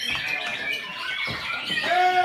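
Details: White-rumped shama song: a quick run of varied chirps and warbled notes, then a clear, steady whistled note with a lower harmonic held near the end, over faint background chatter.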